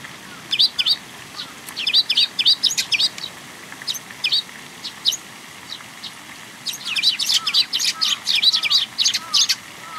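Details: Young sparrows coming for food at a Tenmangu shrine, 18 May 2021: bursts of rapid, high, squeaky chirps, loud and insistent, broken by a short lull. Softer lower calls sound beneath them.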